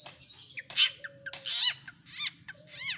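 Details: Long-tailed shrike running through mimicked calls: short slurred notes, a rasping burst and several arched, chattering phrases, with a steady soft low whistle and a faint hum underneath.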